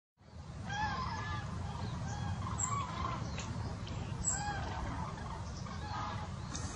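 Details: Common cranes migrating south in autumn, recorded on the afternoon of 1 November 2015: several trumpeting, rolling calls overlap and repeat throughout, set against a steady low rumble of wind or distant traffic.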